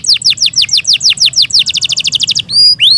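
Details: Yorkshire canary song from a kept bird: rapid run of downward-swept chirps speeding into a tighter trill, finished with two rising clear whistles.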